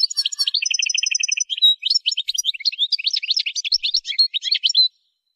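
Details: European goldfinch song opening with a string of evenly repeated, ringing notes. It shifts into a fast, varied twitter of bright, slurred chirps that lasts several seconds before ending.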